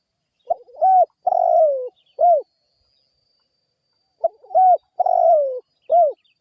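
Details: Spotted dove lure, cooing vigorously to prompt responses from other birds: two matching phrases of a quick soft note, a rising coo, a long falling coo and a short end coo, separated by about two seconds of silence.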